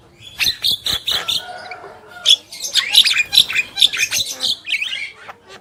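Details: Male and female black-winged myna with squawky buzzing notes, then a run of sharp clicks and bright short whistles, pausing briefly midway.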